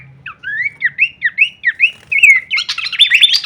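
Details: Horsfield's babbler song in full kleperan variation, used as masteran training audio for songbirds: a series of rising slurred whistles, then a dense burst of overlapping high chattering notes toward the end.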